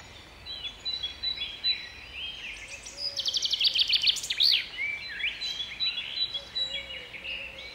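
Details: Common chaffinch singing in a park, Strzelecki Park, in May 2017: a fast trill of repeated sharp notes ending in an accented flourish, set among a busy chorus of other twittering birds.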